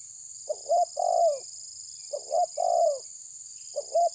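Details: Spotted dove (terkukur tabir) challenging an opponent: repeated low coo phrases, a clipped note followed by a long, slightly falling hoot, coming roughly every one and a half seconds over background hiss.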